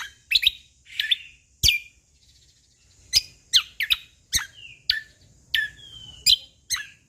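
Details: Energetic song from a cucak kombo, the Sumatran leafbird: crisp, steeply falling notes in pairs and singles, broken by a short silence, then further sharp notes and a couple of longer, smoothly descending whistles.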